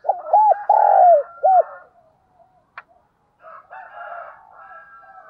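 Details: Spotted dove used as a decoy, urging and calling to provoke other doves: one clear phrase of quick hooked coos, a long raspy note and a closing coo, followed by a sharp click and fainter distant bird calls.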